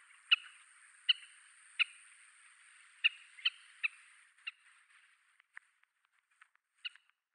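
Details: Oriental pratincoles on Yonaguni, Japan, a small flock bursting into flight, give sharp, grating calls repeated roughly every second, each with a short ringing tail, then thinning to fainter scattered notes; a steady faint high hiss underneath.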